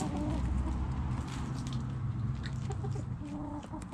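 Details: Chickens digging in the dirt give low, murmuring clucks in a rapid, continuous run of soft notes, with some higher clucks breaking through over steady outdoor background noise.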